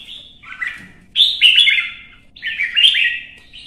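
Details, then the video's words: Competitive song of a red-whiskered bulbul in Vietnam: a soft opening phrase followed by two loud, bright, descending warbled bursts about a second apart. "CHÀO MÀO | Kè kích chim hót đấu kích ché căng lửa"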